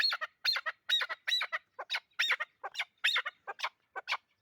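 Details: Chukar partridge calling in rhythmic two-part phrases, a sharp high note dropping into a lower chuck, repeated about twice a second with a clean background.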